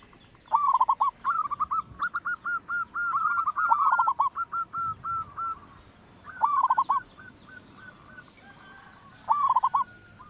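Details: Loud local Indonesian zebra dove (perkutut lokal) singing as a lure to draw song from other birds: repeated quick bursts of rich, bubbling coos, each under a second, separated by runs of softer evenly spaced hooting notes, over a quiet background.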